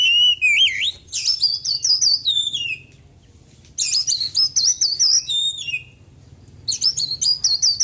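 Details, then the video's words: White-breasted Oriental magpie-robin kept at home after its moult, singing dense rushing bursts of high warbled and trilled notes, three phrases of about two seconds broken by short silences. "KACER GACOR ISIAN BURUNG KECIL PEDES"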